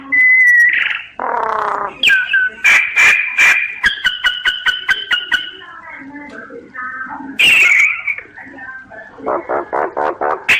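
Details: A common myna opens with a pure steady whistle, then throaty rattling notes, a quick volley of sharp clicks and whistles, low soft gurgles, a harsh screech and a closing burst of pulsed croaks.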